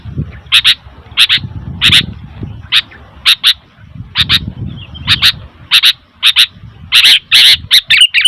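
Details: Sooty-headed bulbul producing noisy, rasping paired chirps at a regular pace, speeding into a busier chatter near the end, with a low murmur of background noise underneath.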